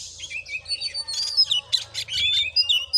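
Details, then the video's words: Short burst from a fighting Oriental magpie-robin in Sungai Rumbai, Bengkulu: sliding whistles and scratchy chirps in quick sequence over a faint low hum. "Kacer tarung|pancingan Kacer gacor|Kacer Konslet|burung Kacer"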